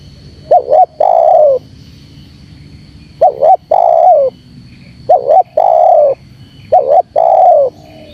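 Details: Spotted dove calling to excite wild doves into answering: a two-note stutter, then a long, full coo that tails off downward. Four regular phrases, roughly every two and a half seconds, over faint hum.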